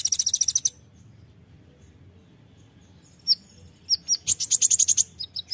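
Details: Olive-backed sunbird, known locally as kolibri ninja, in a lively tutor recording full of rapid 'tembakan' bursts: very high, thin, fast trills, a quick burst at the start, then scattered sharp chips and another rapid trill after a pause.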